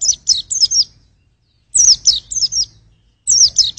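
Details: Short phrases of three or four shrill, high down-slurring chirps from a white-eye used as a vocal test, each phrase spaced by about a second of quiet.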